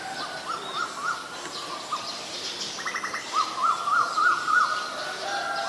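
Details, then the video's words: Asian koel, called นกกาเหว่า in Thai: quick series of short rising-falling whistled notes, a brief cluster of sharper clicking notes midway, then another fast run of whistles growing louder, over faint high insect hiss. "นกกาเหว่า (Asian koel)"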